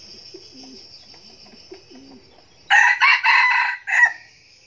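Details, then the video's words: Decoy red junglefowl from Bình Phước, Vietnam, crowing loudly in four ragged, harsh pulses after soft low cooing from other birds and a thin insect whine in the background. "Gà rừng mồi siêng gáy"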